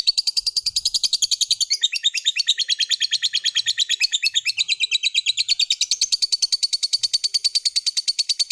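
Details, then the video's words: Long ngekek trill of a lovebird, played to draw other lovebirds into singing: an unbroken stream of rapid, buzzy chattering notes at a steady beat of about three per second, lasting over eight seconds. "SUARA BURUNG LOVEBIRD Gacor, JAGO NGETIK Bikin Lovebird Apapun Lekas TAMPIL NYAUT NGEKEK"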